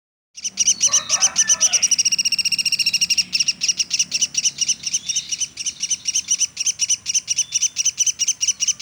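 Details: Woodpecker, locally called pelatuk sampit, calling nonstop: a long run of rapid, high, sharp chips, several per second and slightly uneven, after a brief burst of lower chatter near the start.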